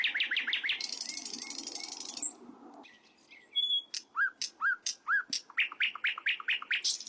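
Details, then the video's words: Sikatan londo flycatcher song: quick run of high chirps, a brief hissing burst and pause, then a steady sequence of rising whistled notes and sharp chirps repeated about twice per second. "ternyata begini suara inova reborn"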